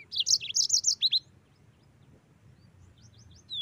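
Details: Short, bright burst of yellow-fronted canary song: a rapid run of high chirped notes and two downslurred whistles lasting about a second, then near silence with faint distant chips and one falling whistle over a low background hum.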